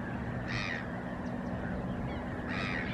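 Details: A Great Grebe at the start of courtship gives two harsh, nasal, cawing calls about two seconds apart over a steady low rumble, San Miguel del Monte, 8 July 2020.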